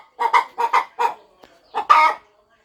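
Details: Brooding hen on her farm nest, getting ready to hatch eggs, utters four quick clucks, goes quiet briefly, then gives a louder, drawn-out cluck.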